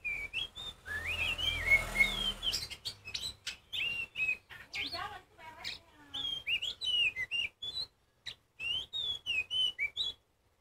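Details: Kacer poci Oriental magpie-robin giving a loud, varied song meant to make other magpie-robins sing. A long run of quick whistled notes, rising and falling slurs and rapid chips, with brief gaps near the end.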